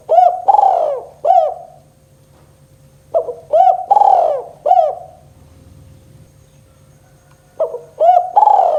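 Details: Spotted dove giving its 'kuk 2' coo as a lure for silent doves: three full phrases about three seconds apart, each a soft lead note and several hollow coos, the middle one longest, over a faint steady hum.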